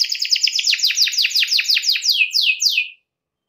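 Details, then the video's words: Canary in full song, goading a rival to join in: a fast run of sharply descending sweeping notes, slowing toward the end into a few longer downward slurs before stopping. "KENARI GACOR MEMANCING LAWAN AGAR IKUT GACOR"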